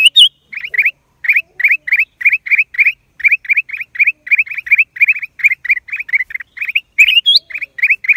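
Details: Recorded in April 2023, a black-crested bulbul repeats sharp, clipped chirps at a fast, even pace for eight seconds, a short higher squeak breaking the run near the start and again toward the end.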